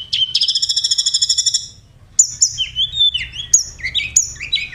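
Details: Oriental magpie-robin singing in the 'roll tembakan' contest style: a fast, even, rich rattle lasting over a second, a brief pause, then varied clear whistles jumping between high and middle pitches.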